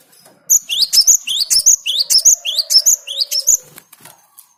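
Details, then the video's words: Cinereous tit, a lure song for attracting birds: about three seconds of loud, quick, paired rising whistles repeated evenly. A soft steady low tone runs underneath, and the song then fades to quiet. "Suara Gelatik Batu ini Ampuh buat Pikat"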